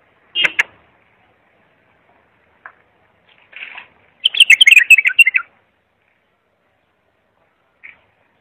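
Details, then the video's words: Bulbul song for tutoring young bulbuls: scattered short chirps and a brief burst, then a loud second-long run of quick jumbled whistles, with one last isolated note. "تغريد صافي يفيد اذا عندك بلابل صغار او بلبل ميغرد"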